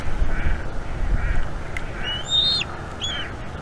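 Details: Eaglet at a Florida bald eagle nest begging as the mother feeds it, May 2021 evening, following an owl attack; soft muffled sounds first, then two high arched whistled squeals.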